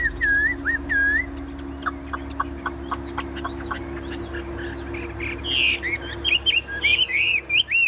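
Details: Caged Chinese hwamei in full song: looping whistled notes, then a run of sharp clipped chips, ending with loud rising and falling whistles.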